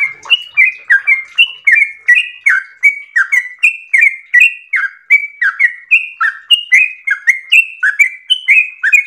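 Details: Trucukan, or yellow-vented bulbul, singing a long gacor ropel song: energetic chirpy whistles in tight succession, each note bending downward, forming a continuous cheerful stream.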